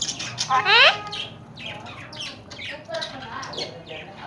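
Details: Alexandrine parakeets, tame and talking, from Pakistan: one loud, rising, strongly harmonic squawk early on, followed by a run of quieter, short, chattering and speech-like notes.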